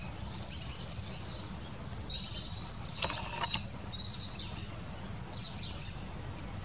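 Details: Long-tailed tit calling with dense high, thin notes throughout, a sharp mechanical rattle around the midpoint, and steady low background rumble.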